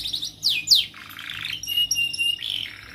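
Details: Young singing canary used as a training recording for juvenile canaries learning song; steep descending whistled sweeps, then a buzzy rattle and a long steady high whistle, with a rising note at the end.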